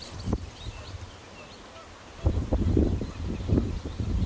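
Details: Greylag goose family at RSPB Fowlmere near Shepreth, Cambridgeshire, in sunny, warm May 2013 weather: low honking calls begin partway through and repeat in a rough burst, with faint high birdsong in the background.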